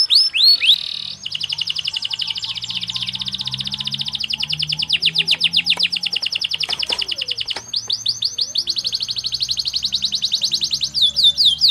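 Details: Caged canary singing a tutoring song with fast, tightly packed cengkok phrasing: long sustained rapid trills of high upswept notes, broken by a brief pause and a few rising whistles near the start and end, faint low hum behind.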